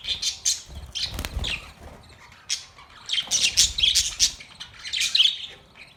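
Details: Australian parrots chirping: bursts of harsh, high squawks and chirps in clusters, with a quiet gap near the middle and a low thump around one second.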